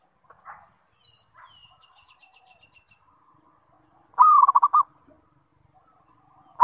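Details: Zebra dove lure call to set other zebra doves calling. High thin chirps from another bird come first, then one loud phrase of a drawn coo and rapid bubbling notes, and the start of another phrase.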